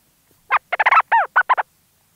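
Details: Leach's storm petrel calling close up from a burrow: a quick chattering burst of about eight harsh, nasal notes, several with a rising-then-falling bend, lasting about a second against a silent background.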